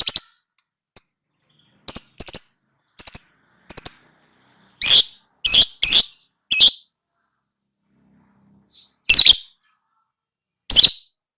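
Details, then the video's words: Lovebird masteran tutor recording for training lovebirds to become vocal: thin short whistles and clicks open the passage, followed by a run of harsh piercing chirps, some in quick pairs, then two isolated shrieks after a pause. "Suara Burung LoveBird~for~ Masteran(biar gacor)"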